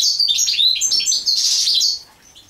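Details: European goldfinch singing while mating: a dense, fast twittering of high tinkling notes and short buzzy trills that runs almost without pause, then fades out near the end.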